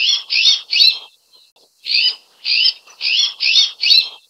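Azure-winged Magpie giving harsh, buzzy rasping notes in quick runs of three, then five, each note about half a second apart, after a short pause.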